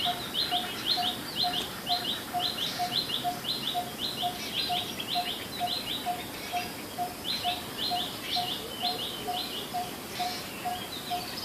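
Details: Coppersmith barbet calling: a steady run of hollow, low 'tuk' notes, about two each second throughout, while other birds chatter in busy high chirps above.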